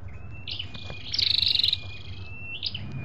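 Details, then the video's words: A red-whiskered bulbul gives high, thin whistled notes around a quick trill of about a dozen pulses, over a low background rumble; the recording includes both male and female calls and is used to stimulate caged birds or lure wild ones. "tiếng chim sâu đâu đỏ"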